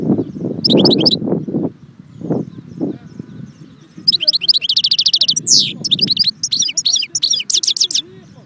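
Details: A European goldfinch near Constantine at Jbel Wahch bursts into rapid twittering and buzzy trills after low, voice-like background sounds at the start. The lively notes continue to the end.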